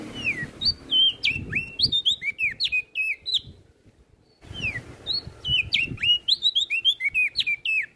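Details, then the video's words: Two bursts of energetic olive-backed tailorbird song, rapid slurred whistles tumbling up and down, separated by a short silent break. "Burung Prenjak Daun Gacor"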